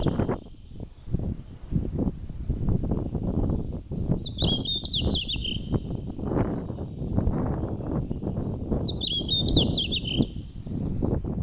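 A red-flanked bluetail gives two short, high, descending warbled phrases about five seconds apart, over steady rumbling wind noise.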